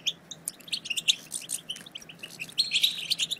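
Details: Goldfinch chatter for rousing silent goldfinches into song: short, separate high chirps and tinkles in quick succession, growing into a brief louder twittering run at the end.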